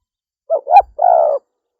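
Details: Single cooing phrase from a female spotted dove: two quick low notes, the second swelling, then a sustained rough-textured coo that holds level before ending abruptly, with no other sounds.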